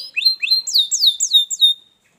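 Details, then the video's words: Canary song played to wake a lazy canary into song: a short phrase of about six rising-then-falling whistled notes, each roughly a quarter second apart, ending in silence. "kenarimu pasti ikut gacor || masteran kenari malas bunyi"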